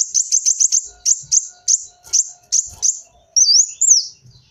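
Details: Rapid, evenly spaced high chips from a kolibri wulung sunbird, the sort used as a lure sound, slowing into separate tinny notes before a single looping whistled phrase.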